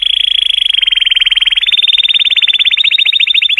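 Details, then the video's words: Colour canary singing to stimulate females, a continuous fast rolling trill of even notes held at a steady high pitch. "Cheerful Color Canary Singing Joyously part 2 | تغريد كناري رائع، لتحفيز الإناث"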